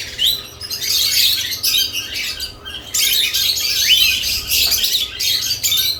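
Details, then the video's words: Busy lovebirds at nest boxes keep up loud, high, rasping chatter nearly without break, with a few rising whistled squeaks standing out. "Lovebirds add nest boxes activity & chirping sounds"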